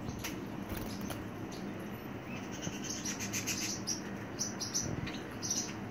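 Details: Pet Pacific parrotlet kept at home, giving short, sharp, high chirps in scattered bursts that cluster toward the end, over a steady background hiss with a few soft knocks.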